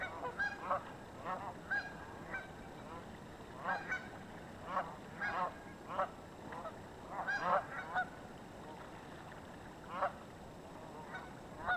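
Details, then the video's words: Flock of geese on the Yakima River, very chatty: scattered nasal honks from several birds, irregular and overlapping in short bursts, over a steady hiss of background noise. "Geese on the Yakima River"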